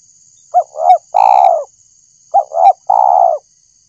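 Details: Spotted dove, called tekukur, used as a lure call for catching birds; three-part cooing phrases, two short rising notes then a long falling coo, repeated twice about two seconds apart, with a steady high electronic hum.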